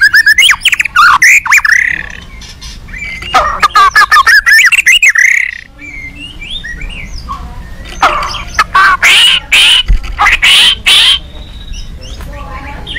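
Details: White-rumped shama singing agitatedly, used as a lure to provoke other shamas into answering: rich, loud, varied whistled phrases that rise and fall, mixed with harsh rasping bursts and quick chattering notes, with short pauses between bouts.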